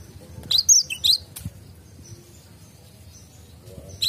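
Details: Cinereous tit in a garden giving two brief high whistled phrases, each a slurred descending note followed by a lower one, then a quiet stretch with faint distant notes.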